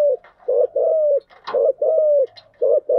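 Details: Spotted dove decoy cooing used to lure wild doves, styles called thúc gù and gáy gọi: steady hollow coos in short-long-short groups, about one phrase a second, broken by a single sharp click.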